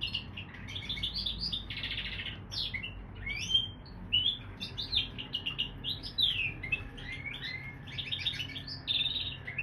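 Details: A canary x bullfinch hybrid sings a long, varied warble: buzzy rasping bursts, sharp rising whistles and rapid twittered notes strung together almost continuously, with a steady low hum underneath.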